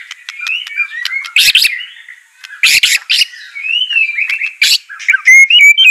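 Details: Song of a white-rumped shama being trained to sing, with sweet rising whistles broken by harsh buzzy bursts and sharp clicks, ending in clear high notes.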